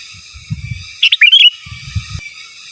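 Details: Sooty-headed bulbul giving 'gacor giras' and 'menggaruda' style song, recorded as a master for training birds: a single rapid phrase of short chirps sliding into a warbling whistle, with soft low thumps before and after.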